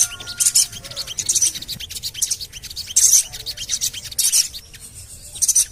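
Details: Repeated high, thin chirping clusters of the Javan cochoa, a 'cuit cuit cuit' lure call meant to set other birds singing, spaced about every second over a quiet, faintly whistling background.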